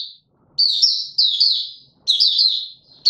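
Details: A white-eye pushed into song while on form, recorded on 31 December 2021, sings high, sweet warbled phrases of quick slurred notes, each about a second long and repeated every second or so, with nothing else behind them.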